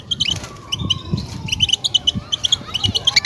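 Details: European goldfinch singing its mating call to stimulate a female ready to breed. Fast, high-pitched tinkling twitters come in short runs, with soft low bumps and a faint gliding tone underneath.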